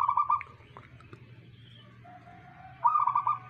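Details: A local zebra dove in song gives two short bubbling coo phrases, one at the start and one near the end, made of quick pulsed notes. A quiet low hum runs beneath.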